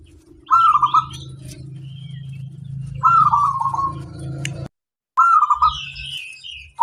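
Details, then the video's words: A local wild zebra dove repeats its trilled cooing song three times, about two and a half seconds apart, each phrase a high clear note dropping into rapid rolling coos, with low hum and faint chirps behind. "Suara sang masteran burung perkutut lokal alam"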